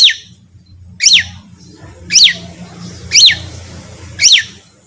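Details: Long-tailed shrike masteran used to make other shrikes respond: five loud, harsh notes, each sweeping steeply downward, repeated at about one-second intervals over a faint low hum.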